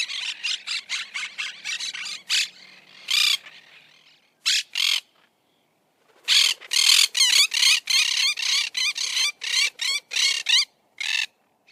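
Monk parakeets give harsh, grating squawks in rapid bursts, several notes a second, broken by brief pauses, with overlapping calls suggesting more than one bird.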